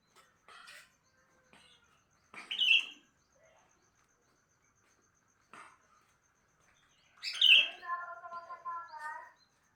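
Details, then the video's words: Sooty-headed bulbul singing in the morning: scattered short chirps, then a clear phrase of stacked, slightly wavering whistled notes near the end, with quiet gaps between. "Kicauan Burung kutilang Di Pagi Hari"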